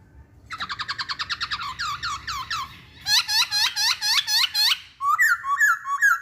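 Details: Masked laughingthrush singing: a fast rattling series of short notes, then loud rhythmic looping whistled phrases repeated about twice a second, ending in clear hooked whistles.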